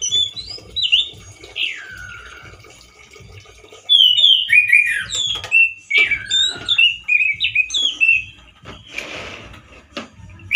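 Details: Loud male orange-headed thrush singing in captivity, harsh as in the wild: a descending whistled slur, then a fast chain of varied chirped and twisted notes, with a brief rustling noise near the end.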